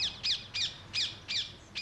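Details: Wild rose-ringed parakeets (Psittacula krameri) in the UK, raiding ripening grapes at an English vineyard: harsh, high, rasping squawks, about three each second in a steady series.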